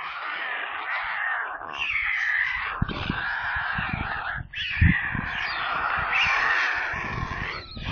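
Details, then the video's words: Hungry storklings, white storks, begging in a nest near Kaluga, Russia, on a nest camera: two long bouts of harsh, grating screaming split by a short gap near four and a half seconds, plus low thuds. "Голодные и визжащие дети"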